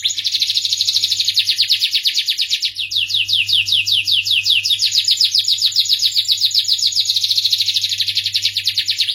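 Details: Starblue canary song: an unbroken stream of fast, rolling high trills, each phrase a quick series of repeated chirps changing pitch and speed, sung loudly throughout with a faint low hum in the background.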